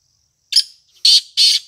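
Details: Black francolin calling: three harsh, rasping notes, a short first one followed after a pause by two longer grating notes in quick succession, in an otherwise quiet setting.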